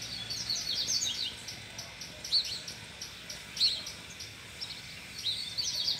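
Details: Caged male double-collared seedeater among brachiaria grass, singing again with a female nearby: scattered bursts of high, quick twittering notes separated by pauses, over a steady, regularly pulsing background of cricket chirps.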